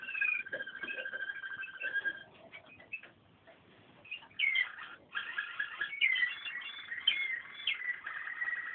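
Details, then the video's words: Waterslager canary song in uneven phrases: rolling tones at first, a quieter stretch of scattered clicks, then bursts of bubbling, warbled rolls with gliding whistled notes. "waterslager song"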